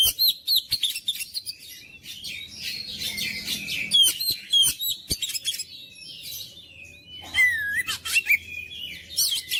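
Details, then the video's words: Kacer song to stimulate silent magpie-robins: dense, varied stream of whistles, clicks and scratchy chatter, loud throughout, with a faint low hum in the background. "KICAUAN KACER MENGOYAK KACER BISU MALAS BUNYI JADI NGOTOT GACOR"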